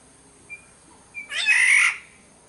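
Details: A Sumbawa black-naped oriole makes one harsh, buzzy, cat-like squawk, preceded by two faint thin whistles and a short rough note.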